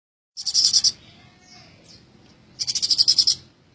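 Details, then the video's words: Tame Eurasian tree sparrow singing actively: two high, dry, rapidly pulsed rattling bursts, the first short and the second about a second long, separated by faint soft notes. "burung gereja jinak bangets gacor"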